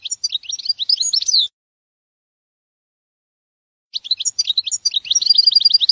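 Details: European goldfinch singing the Jordanian song style on a training tape: fast, tinkling twitters and liquid chirps in two bursts separated by a silent gap of over two seconds.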